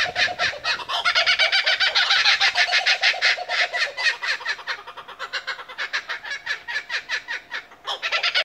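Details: Two wild kookaburras laugh together in a loud, rollicking duet of rapid, harsh chuckling notes.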